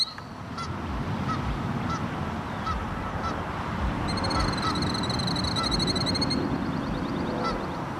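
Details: Canada geese in South Carolina, defending their territory with a Killdeer also present, honk in short, harsh, evenly spaced blasts over a low roaring background, while a rapid, shrill trilled piping breaks in midway.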